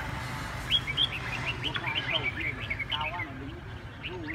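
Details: Huế cánh red-whiskered bulbul singing rapid, bright warbled phrases of short rising and falling notes, with lower slurred whistles near the end and a constant low hum underneath.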